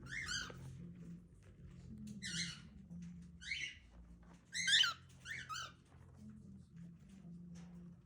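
A cockatiel gives short, raspy chirping calls in bursts, with a low hum in the background.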